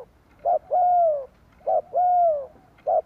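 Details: Spotted dove cooing played to lure wild doves. A short clipped coo is followed by a longer, drawn-out, gently falling note, and the pair repeats twice in a steady, mellow rhythm.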